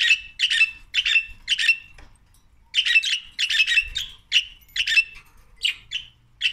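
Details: Several budgies singing and playing: rapid bursts of harsh, scratchy chirps and warbles, repeated in quick runs.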